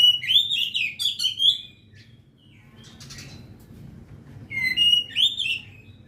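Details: Oriental magpie-robin kept as a hobby songbird: bright, varied whistled phrases with quick twittering notes, a pause of quieter chatter mid-way, then another burst of rich warbling.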